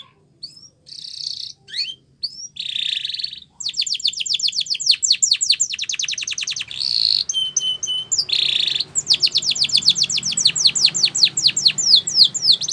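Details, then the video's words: Canary song meant for teaching canaries to sing: short chirps and buzzy bursts, then long runs of rapid clicking trills alternating with steady buzzy tones and pure whistled notes. "Your Canary Will Sing A Lot With This Voice"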